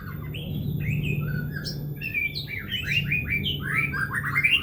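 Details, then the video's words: Murai batu, the white-rumped shama, singing a long loud song used to lure birds at home: rapid series of clear, rising and falling whistled notes growing denser toward the end, with a constant low hum beneath. "Suara Murai Gacor suara Panjang COCOK UNTUK PANCINGAN BURUNG MURAI DI RUMAH"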